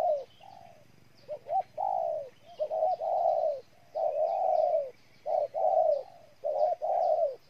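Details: Vietnamese spotted dove recorded in Ninh Thuận, delivering a steady series of soft, rounded coos, quick double notes leading into long hollow notes that fall slightly at the end, with quiet chirping behind.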